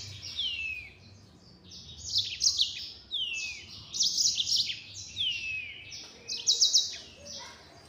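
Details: Yellow-fronted canary delivering 'nembak' phrases roughly every second and a half, each opening with a falling slur and running into a bright buzzy trill.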